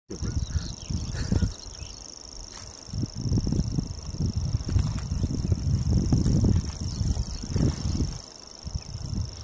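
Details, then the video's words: Grasshopper warbler on a windy day, with company nearby: a thin, steady, high insect-like reel runs unbroken through the whole stretch, largely buried under heavy gusting wind and low rumbling noise. "grasshopper warbler"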